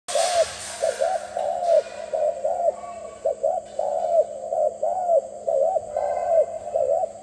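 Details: Zebra dove cooing: soft arched rolling coos repeated in quick succession, about two per second, over a steady faint electrical hum and hiss.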